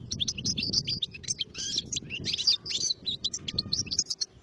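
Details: Lively, unbroken goldfinch warbling of quick tinkling twitters and buzzy trills lasting several seconds, against a soft low rumble.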